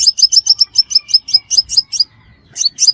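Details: Five-coloured sunbird calls, a sound used as a lure for trapping: a rapid series of high, sharp chirps, about five a second, each a bright downward flick, then a short pause and a few more notes.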